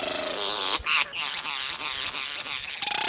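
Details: An Australian satin bowerbird gives a dense, buzzy whirring with rapid clicks and rattles, ending in a short, steady whistled note, typical of its whirs, whistles and rolling sounds.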